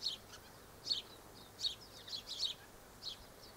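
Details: Double-barred finches recorded on 1 December 2013: several thin, high, nasal chirps, single and paired, spaced unevenly against a quiet hissing background.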